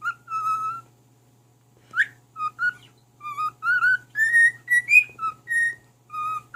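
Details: Pet cockatiel serenading his mate with a whistled melody: a long held note, then a quick upward sweep and a lively string of short tonal whistles stepping up and down, low hum throughout.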